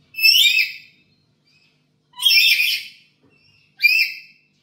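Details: Caged black-capped lory at home, used as a lure recording to train other birds, giving three strident, grating squawks spaced about two seconds apart, each short and harsh with a slight upward sweep.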